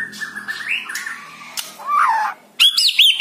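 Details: White-rumped shama song meant to prompt a silent bird to sing: a long steady whistle rising in steps, a warbled twist in the middle, then high quick looping notes.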